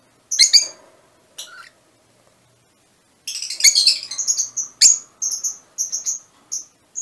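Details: Mutation Fischer's lovebirds: two separate shrill calls, a pause, then a lively stream of high chatter breaking into short, sharp chirps repeated about twice a second.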